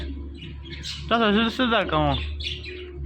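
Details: Pet parrot talking: three closely spaced, voice-like syllables with rich wavering tones over a steady low hum, surrounded by faint chirping.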